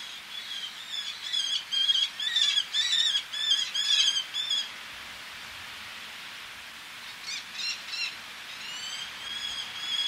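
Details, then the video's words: Eleonora's falcon male calling at close range as females call from ledges beside the sea: a rapid run of harsh, ringing, nasal notes for about four seconds, a pause, then a shorter burst of sharp calls over surf. "Eleonora's Falcon. MCU Calls From A Male With Females Calling From Ledges."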